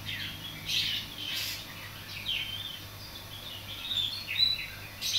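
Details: Greater green leafbird learning its song, tutored by a Javan pied starling and other birds: scratchy, irregular chirps and brief high, thin whistles in uneven bursts, over a faint low hum.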